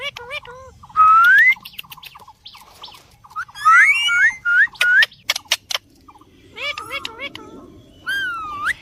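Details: Parrot giving a varied string of whistles: rising and falling slurred notes, some long upward sweeps, interspersed with short clicks and squeaky chips, in irregular bursts over nine seconds.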